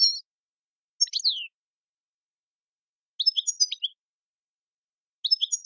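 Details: European goldfinch song in Algerian tiwawati style, sparse phrases of high clipped chirps and a falling slurred whistle, repeated at intervals of about two seconds.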